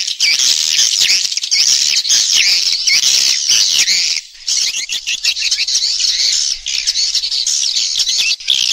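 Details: Swiftlets twitter in a stereo recording of calling and roosting sounds: a nearly continuous, high, wavering buzzy chatter with a brief dip near the middle.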